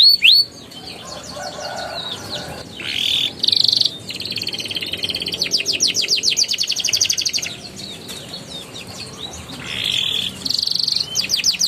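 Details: Canary lure song for young birds in ngeriwik and ngeroll style, heard at moderate distance with background hiss: short buzzy bursts and quick trills of high downslurred notes at intervals.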